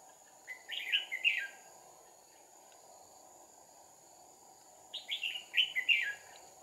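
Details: Decoy red-whiskered bulbul singing a fighting song while trapping a wild bird, 2 April 2019: two bursts of quick chattering warbled whistles about four seconds apart, with constant insect hum and low background noise.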